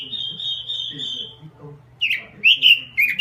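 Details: Robin song opening with a long, even, slightly quavering whistle, followed after a pause by loud, swooping warbled notes.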